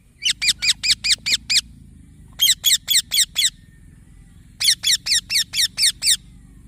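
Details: Baby green parrot calling in three bursts of rapid, harsh, buzzy chirps, six to eight per burst, separated by short silences, over a faint low background rumble.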